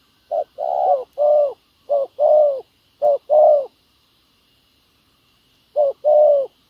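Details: Decoy spotted dove cooing on the ground to attract wild doves. Paired low, mellow coos, a brief note followed by a longer rounded one, come in four groups separated by a pause.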